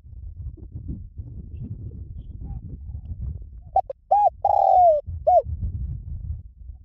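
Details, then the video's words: Spotted dove's lio tan style coo, played to make trained birds answer. Steady low rumbling noise runs throughout, then a clear phrase of short notes, a round coo, a long downward-sliding note and a last coo. "สำหรับเปิดล่อนกเขาใหญ่ฝึกต่อ ให้ขันโต้ตามเสียงนกเขาใหญ่หลิ่วตัน"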